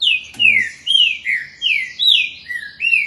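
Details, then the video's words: Green-winged saltator, Campinho, Jacarepaguá, Rio de Janeiro, giving a steady series of loud, clear whistled notes, each sweeping down in pitch, about seven notes in three seconds with one sharp click near the start. "trinca ferro. o velocista."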